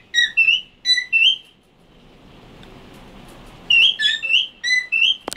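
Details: A pet cockatiel says the Hebrew word for "parrot" in reedy, whistly speech mimicry. It comes in two bursts of quick rising and falling syllables separated by a soft hiss, and a sharp click closes it.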